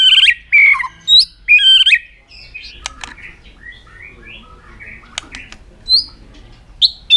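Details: White-rumped shama in aggressive display to stir other birds: opening loud slurred whistled phrases, then a softer rambling warble of varied chirps with a few sharp clicks and a closing bright upslurred note.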